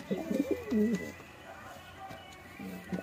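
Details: Low, warbling pigeon coos open this recording from the start of the first pigeon race of 2021, a loud burst in the first second, then quieter murmuring and a brief coo near the end.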